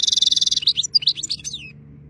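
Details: Singing European goldfinch in fine weather opens with a rapid buzzy trill of evenly repeated high notes, then breaks into tumbling, slurred twittering phrases that fade out.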